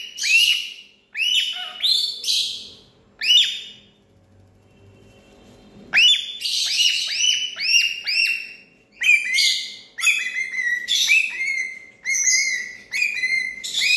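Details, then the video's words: Shrill, buzzy parrot squawks come in clusters, break off into a two-second lull with faint background hum, then return as denser overlapping screeches. "Sound of parrot bird"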